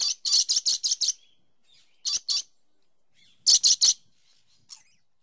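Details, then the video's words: Dusky lory, a parrot also known as white-rumped lory, giving harsh, screechy calls in quick bursts: five in a row, then two, then three, with quiet gaps between. "Dusky Lory Bird Call Bird Song"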